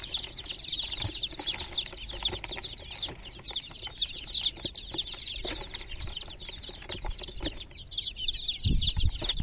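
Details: Many chicken chicks in a water pool, described as groggy, peep together in a dense, overlapping chorus of high, sharp chirps, with soft low thumps and splashes beneath.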